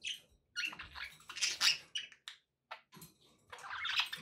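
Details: Pet budgerigars chirping and chattering indoors: bursts of buzzy, scratchy warbles and short chirps in quick clusters, with brief pauses between runs.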